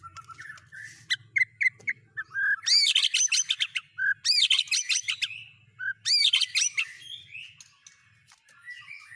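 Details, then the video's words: White-rumped shama delivering borrowed cililin, canary and lovebird phrases: scattered chips, then three loud bursts of dense, high twittering chatter separated by short pauses, with a faint low hum at first. "Burung Murai Batu MU KURANG GACOR., BONGkar Isian speed cililin, kenari, love bird Dll..!"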